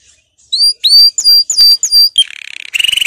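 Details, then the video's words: Canary song for training, made of repeated upslurred whistles, then a soft rolling trill and a rapid, louder high trill at the end. "Canary 's most powerful song for training"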